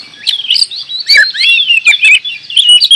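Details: Kacer (oriental magpie-robin) singing gacor, a busy tumble of sweet whistles, trills and chips that rises in volume midway, with sharp clicks between phrases.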